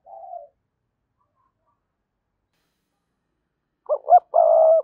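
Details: Spotted dove decoy cooing meant to trigger calling from wild doves. A soft short coo opens, followed by near silence for over three seconds, then two brisk rising notes run into a long, steady coo.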